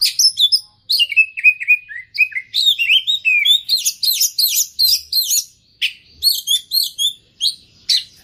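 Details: Oriental magpie-robin singing in full voice with varied repertoire: rapid sequences of sharp whistled notes, slurred upsweeps and buzzy trills, bursts every half second with brief pauses, clean and close with no other sounds.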